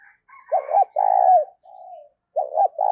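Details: Decoy spotted dove luring wild doves, giving paired hoots and a drawn-out falling coo, then a quieter level note and the start of another phrase; a faint higher chirping sound runs in the background.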